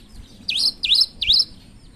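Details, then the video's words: Three evenly spaced, bright swooping whistles, each dipping and rising, from a cinereous tit in lively song with an unusual sound. "Gelatik batu gacor suara aneh"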